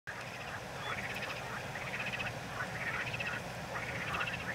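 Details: Black-winged stilt calling: groups of short, nasal, harmonic yapping notes in quick bursts, repeated about every second, over a steady low hum in the background.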